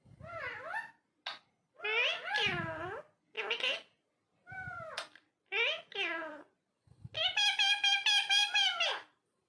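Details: Talking parrot producing a run of varied harmonic syllables: short rising and falling notes with pauses between them, then a longer buzzy, pulsing phrase at the end.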